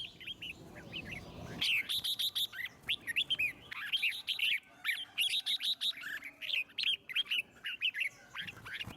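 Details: Red-whiskered bulbul song used to stimulate other birds to sing: dense runs of bright, rising and falling whistled notes in quick short phrases, continuing almost without pause after a brief noisy start.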